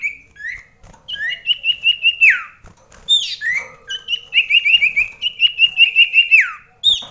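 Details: Common iora in a singing contest indoors at very close range during rainy weather: bright whistled notes breaking into fast, even trills of about three notes a second, some ending in a falling slur.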